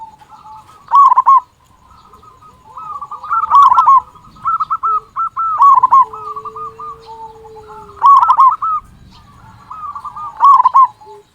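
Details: Zebra dove, local type with a loud voice, serving as a lure to get other doves singing. Rapid rolling coo bursts roughly every two seconds mixed with near-continuous softer cooing from other doves and a low steady tone.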